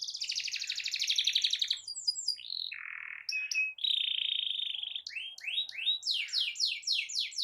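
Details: Canary delivering a long rolling song to stir other canaries, a rapid buzzy trill, steady whistled tones, then a series of rising sweeps repeated in quick rhythm.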